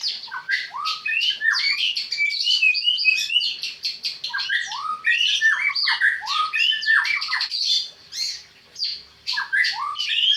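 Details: Sustained song of a white-rumped shama (murai batu): loud, varied whistled phrases mixed with harsh chattering and quick downward-sweeping notes, briefly pausing near the eighth second before resuming.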